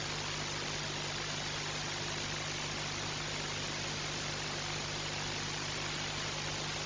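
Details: Only a constant broad hiss with a low hum is heard, with no animal calls.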